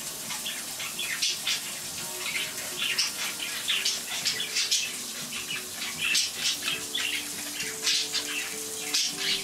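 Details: Pet budgerigars chatter loudly in quick, scratchy chirps and warbles during a running-water animation, over the steady hiss of water; they grow quieter once it stops.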